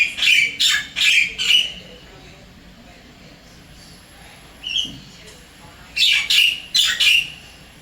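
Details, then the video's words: Wild Javan myna at an apartment in Singapore calling to its mate: fast runs of harsh, squeaky chattering notes in two bursts, separated by a quiet gap with a single short note. "Begini bedanya Kicauan Jalak Kebo liar di Singapura"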